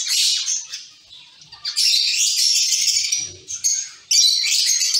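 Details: Zebra finches in a caged colony calling in overlapping bursts of buzzy, nasal chatter, with short quieter gaps and a final burst of dense calling.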